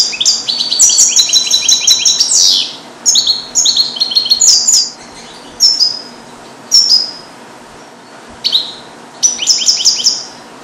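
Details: Captive-bred European goldfinch born in 2022, song-trained with Neapolitan passages, singing in a small carrier cage: bright, high twittering phrases and clear descending whistles separated by short pauses, over steady background hiss.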